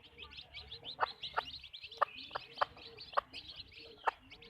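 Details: Hens at a backyard chicken farm make short, punchy clucks spaced about half a second apart, while a dense chorus of high, squeaky chirps runs continuously underneath.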